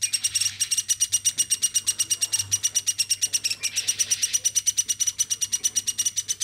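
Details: Hand-reared pet woodpecker, raised from a chick, calling continuously: over six seconds a dense, unbroken stream of harsh, rasping pulses, several per second, steady in pitch, with a low electrical hum behind.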